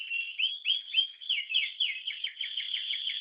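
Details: Brown-yellow pet canary wearing a leg ring sings swooping whistled notes that rise then drop, a few per second, before breaking into a steady rapid rattling trill; quiet background.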